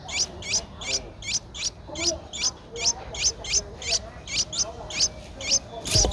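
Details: Ten-day-old Streak-eared Bulbul chick at Ubon Ratchathani, Thailand, 12 April 2023, giving a series of thin, high, squeaky chirps at an uneven pace, roughly two per second, ending with a brief loud knock.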